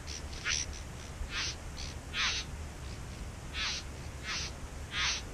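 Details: Back-yard bowerbirds near their nest give scattered harsh, wheezy bursts, several loud and rasping, spaced at uneven gaps of around a second, with quieter scratchy notes between.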